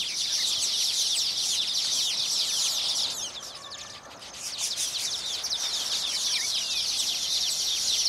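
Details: Baya weavers singing together after finishing their nests, fluttering both wings while gripping the nests to attract females: a dense, high chattering chorus of rapid buzzy trills and sweeping notes, dipping briefly in loudness midway, then resuming.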